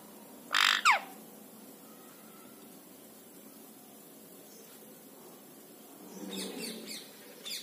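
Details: Indian ringneck parakeet: one loud, rasping screech near the start, then a long quiet gap and a cluster of softer, scratchy calls toward the end.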